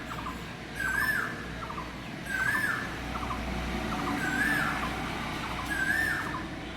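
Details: On a rainy morning, heard from a city balcony facing neem, deodar and banyan trees, an Asian koel calls intermittently: a rising, fluty call about every two seconds, each preceded by short stuttered notes, over a wet hiss and faint chirps from another bird.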